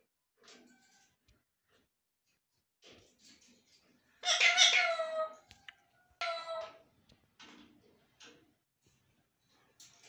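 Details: Pet talking parrots indoors: a loud harsh, rasping utterance lasting about a second, then a shorter scratchy one, among faint soft clicks and murmurs in a quiet room.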